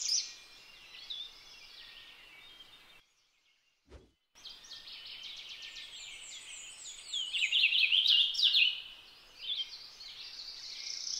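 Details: Purple finch, a finch that keeps in contact with flock mates in flight using sharp tick notes. High, twittering chirps and warbles over steady background hiss, a brief silent gap broken by a single click, then a louder jumbled burst of notes before fading.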